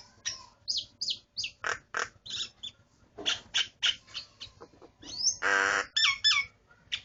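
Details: A kept starling pours out a mixed song: clipped chirps, squawky notes, a loud rasping burst midway, then twisting whistled phrases, all in fast succession.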